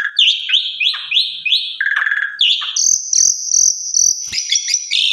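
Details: Asian pied starling (jalak suren) song used as a lure and as tutor song for other starlings: loud whistled notes around upper-mid pitch, repeated slurred phrases, a buzzy low segment, then long high whistles with clicks.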